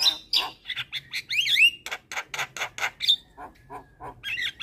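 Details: Javan myna training song for young mynas: squeaky whistles and a rising slurred note, then repeated harsh rasps and a thin drawn-out whistle.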